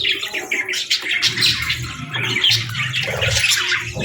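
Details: Afternoon budgerigar calls: sharp squeaky chirps and short whistled notes in loose bursts over a low hum in the background.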